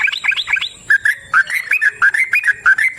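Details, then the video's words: Yellow-vented bulbul singing in the wild, long rapid 'ropel panjang' style; opens with a fast chattering flurry, then a steady run of short mellow gurgled notes. "Trucukan GACOR ngalas ROPEL PANJANG suara alam"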